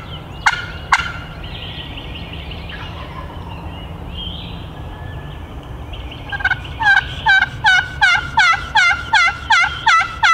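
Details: Wild turkey (Meleagris gallopavo) gobbling from woods a couple hundred yards off, sounding closer as it comes in during the season: two sharp clicks, faint calls, then loud, ringing, downward-bending gobbles repeated two or three times a second.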